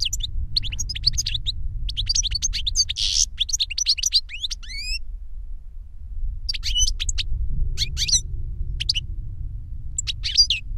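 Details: Goldfinch song meant to teach a younger bird, sung by an older goldfinch: a rambling run of twittered notes and curving whistles with a raspy buzz, then a pause and scattered bright chirps, over low steady rumble.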